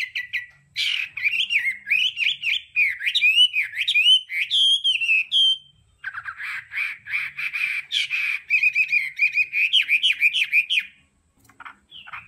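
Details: Hwamei delivering 'đảo âm' training song: a long stream of tumbling, looping whistles, a short break, then a rapid series of clipped notes blending into warbled, fluctuating phrases before falling quiet.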